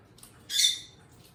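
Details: Single loud, harsh, high-pitched squawk lasting about a third of a second from one of two pet eastern rosellas, with near silence around it.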